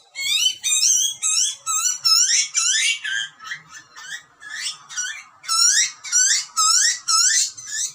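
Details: Hungry wild Australian butcherbird chick, being fed by its parents, screams for food: loud, harsh rising screeches in rapid bursts, about two per second, with no other sounds.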